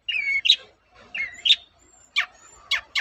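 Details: Lure song of a long-tailed shrike aimed at making rival shrikes answer: a level whistled note followed by a sharp upward chirp, given twice, then several quick falling squeaky notes roughly one per second.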